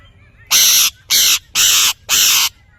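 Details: Parrot calling with four loud harsh screeches, each about a third of a second, evenly spaced, over a low background hum.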